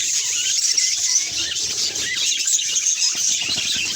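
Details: Budgerigar chirping at its reflection, a constant high warble threaded with clear, thin whistles that rise and fall, some sliding upward, over steady chatter.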